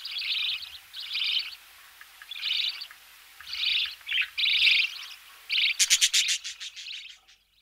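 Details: Budgerigar chicks being fed in the nest: a series of harsh buzzy bursts about a second apart, then a quick run of clicking pulses, with soft knocking in the background.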